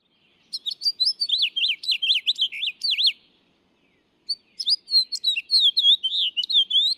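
House Finch song: two bursts of fast, bright warbled notes with sweeping slurs, the second phrase ending in a burrier patch; nothing else heard.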